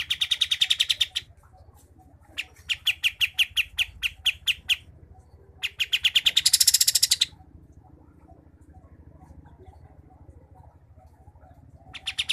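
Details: Rolling song of a sooty-headed bulbul from Pangkalan Jambu, Merangin, Jambi, on Sumatra. Three bursts of rapid, sharp, high ticking are split by quiet gaps, the third rising to a thinner, higher rattle, with another burst starting at the end.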